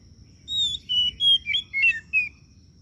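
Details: Kacer daput oriental magpie-robin song: a short run of clear, pure whistles, some level, some sliding down, ending in quick twisting notes over a faint low hum.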